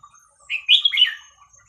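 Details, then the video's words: A single loud phrase of Red-whiskered bulbul song in the Thai hua khrok khayao khuat style, played to young birds to teach them: a clear rising whistle followed by a tumbling, rippling warble. "เสียงนกกรงหัวจุกเพลงหัวครกเขย่าขวด เปิดสอนลูกนก"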